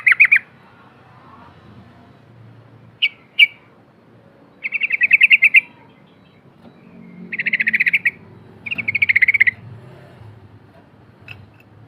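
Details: Yellow-vented bulbul, a lively singer whose recording is used as a lure to make silent bulbuls start singing; short bubbly phrases of rapid chattering notes, each about a second long, separated by pauses, over a faint low hum.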